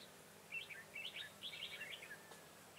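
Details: Red-whiskered bulbul decoy singing in a fight to lure wild bulbuls into a trap in Vietnam, 25 September 2018: a short run of quick, bubbly chattering phrases, faint against a steady hiss of rural outdoor noise.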